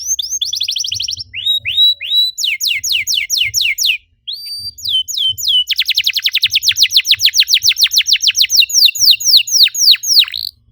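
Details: Long canary song used to stimulate other canaries: varied tours of rising whistles, buzzy rattles and clipped notes, a short break, then an extended fast, rhythmic roll of sweeping notes.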